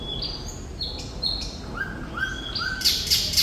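Thrush nightingale singing a quick run of clear whistled notes. High notes step between pitches, then lower whistles and harsh, bright rattling bursts follow.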